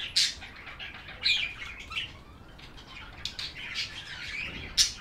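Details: Budgerigars give sharp, high chirps spaced a second or so apart, mixed with softer warbling chatter.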